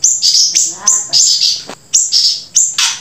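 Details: Grey-breasted prinia giving a fast, chattering song of high buzzy phrases. Each phrase opens with a sharp rising flick and runs a little more than once a second, with short gaps between phrases.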